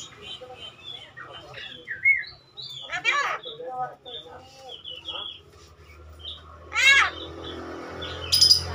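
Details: Javan myna (jalak kerbau) talking: short whistled notes and soft warbles, then several voice-like harmonic phrases. The phrases come near three and seven seconds, ending in a high buzzy burst.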